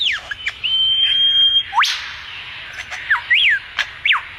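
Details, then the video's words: Bird singing a run of whistled, slurred notes: a sharp downward sweep, a long steady high whistle, a steep upward slide, then several arching notes that rise and fall, with faint harsher notes between. "sounds of a bird"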